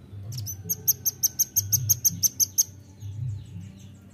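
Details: Nuthatch lure recording: a quick, even run of about a dozen sharp, very high chips, roughly six per second, fading into a few fainter notes, over a low rumbling background.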